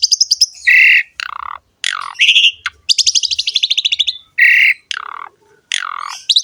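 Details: Ngerek-style song of a Javan pied starling, meant to coax other starlings into singing: alternating fast buzzy rattles, rasping squawks and downward-sweeping notes in short bursts, with abrupt pauses between phrases.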